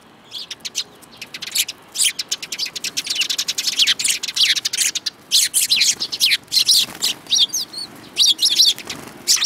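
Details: Lively chorus of sparrows in March 2018, one noted as spirited: continuous high, sharp chirps tumbling over one another, with some thin, rising whistled notes toward the end.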